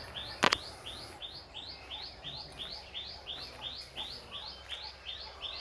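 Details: Birds singing on a farm: a steady series of short, bright downward chirps repeated about twice a second, with a sharp knock near the start.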